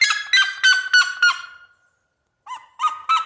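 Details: Countryside red-legged seriema: loud yelping notes about three a second that fade away, a short silence, then a new burst of rising barks begins.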